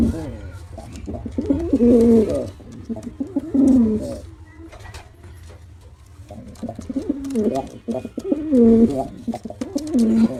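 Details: Male pigeon performing: throaty, rolling coos come in two clusters separated by a quieter stretch of several seconds, each phrase a deep warble that swoops up and down.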